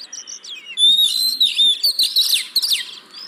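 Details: Oriental magpie-robin song used as a lure to get reluctant birds singing: a loud, sustained whistled note flowing into a fast jumble of sweeping, buzzy high phrases.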